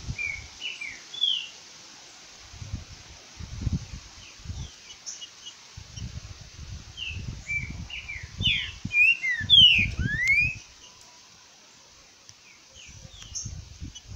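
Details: Great thrush song near midday, 11:48 a.m.: a series of short whistled notes and slurred phrases, rising and falling, in a busy burst partway through, with low rumbling and handling noise below.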